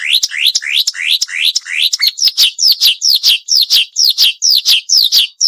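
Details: High, sharp tutor song of a Marsh warbler, cleaned of noise. Rising, slurred whistles repeat about twice a second, then switch to a faster run of short, downward-sweeping notes.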